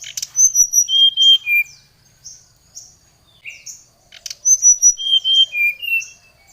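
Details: Oriental magpie-robin song used to call out a rival: two loud bursts of clear whistled notes at different pitches around quieter thin high notes.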